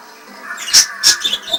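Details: Pet budgerigars squawking in apparent disapproval at a video played to them give two harsh, high squawks about a third of a second apart, followed by softer chirps.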